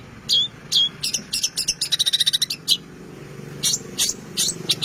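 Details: A long-tailed shrike delivers an energetic song packed with imitated notes. It opens with two upslurred whistles, then comes a fast stuttering series of sharp chips and later scattered scratchy notes, with a soft low background hum.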